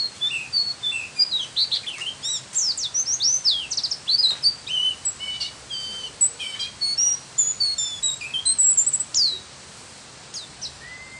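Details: Oriental white-eye, a caged songbird trained with 'isian' fill-in phrases, singing a rich, varied run of high thin chirps, sweeping whistles and trills, dense for ten seconds then fading to a faint tail.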